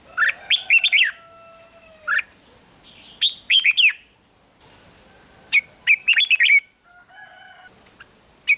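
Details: Red-whiskered bulbul 'rik' song, played to stir caged birds: repeated short phrases of rich, bubbling notes, interspersed with long, level whistled tones at a lower pitch.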